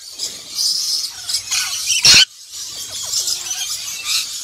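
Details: Shrill, rasping screeches of a black-winged lory with one abrupt loud burst midway and softer chatter around it.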